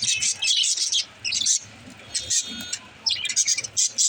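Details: Budgerigar chirping, offered to encourage lonely pet budgies to chirp; bursts of rapid high twittering chatter in clusters separated by brief pauses, with faint low background hum.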